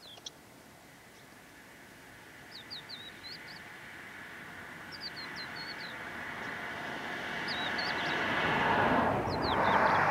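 Crested lark giving short bursts of high, liquid whistled notes every couple of seconds, while a low rumble like a passing vehicle or train grows louder.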